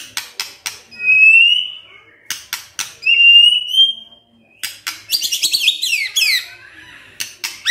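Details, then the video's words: White-rumped shama in morning song, played to make a silent shama answer: sharp ticking clicks between two long rising whistles, then a fast burst of varied twittering notes. "Pancingan PAGI-PAGI AGAR MURAI GACOR❗ murai diam pasti ikut NYAUT EMOSI❗❗"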